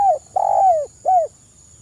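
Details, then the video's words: Actively singing spotted dove, kuk 1 crystal-voice style, meant as a lure: three smooth, low, downward-curving coos, the middle one long and full, with a faint constant high-pitched whine behind. "suara burung TEKUKUR GACOR kuk 1 SUARA KRISTAL lebih ampuh untuk pancingan"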